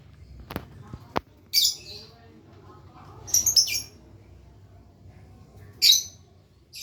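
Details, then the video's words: Lovebird working on ngekek, its long trill: two sharp clicks, then three separate harsh, high chirp bursts a couple of seconds apart, the middle one a quick stuttering cluster. "burung lovebird belajar ngekek"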